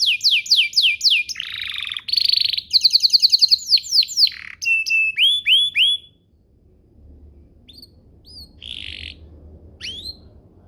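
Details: Canary singing to coax other canaries into answering, with rapid high trills, a buzzy roll and a run of falling whistled slurs over six seconds, then near silence with a few scattered high notes.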